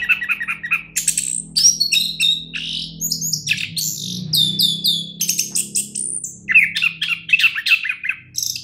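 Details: Champion orange-headed thrush in full song: rapid, varied phrases of high chirps, trills and sharp whistled notes with short pauses between bursts, over a faint low hum in the background.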